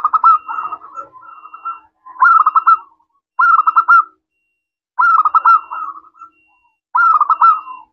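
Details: Local zebra dove in a clear 'crystal' voice, used as a lure so other doves answer: five bursts of rapid, bubbling coo notes, each about a second long, separated by short silences, with softer cooing in between.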